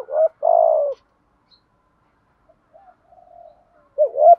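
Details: Spotted dove cooing to call and challenge a rival to fight, meant to stir a bird into cooing quickly: a short note, a longer mellow coo, soft quiet murmurs, then a hooked rising note closing the phrase.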